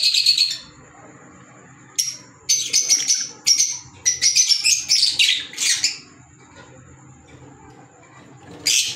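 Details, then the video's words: Several short clusters of harsh, high-pitched squeaks and chirps from green Fischer's lovebirds, African lovebirds, each group lasting under a second with quiet between, fairly irregular. "Fisher Love Birds Sound | African Lovebirds | Green Fisher Love birds Voice"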